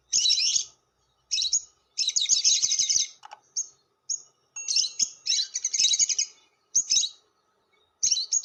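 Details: Lovebird long chatter, the ngekek panjang used as a lure: repeated high, harsh, buzzy bursts and rattles, some long and some clipped, with short silences between and faint clicks beneath.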